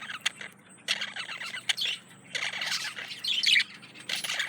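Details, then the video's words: Male parakeet courting a female, giving soft chattering warbles in short bursts, grating buzzy notes and bright chirps, with a quiet low hum behind. "Male Budgie/Parakeet Courting Female"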